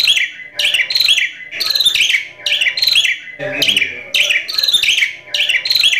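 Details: Javan myna in full, lively song rich in inserted imitated phrases, described as sounding strange: loud, harsh, high squeaky bursts repeated roughly every second, each a mix of chattering and whistled notes, with short pauses between.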